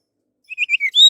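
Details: Orange-headed thrush song, a recording used to lure other birds into singing: one quick phrase of four or five bright, slurred whistles, ending on a longer high note.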